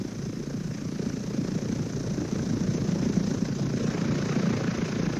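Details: Steady low droning engine, like an idling helicopter or propeller aircraft, fills the whole stretch with no animal calls heard.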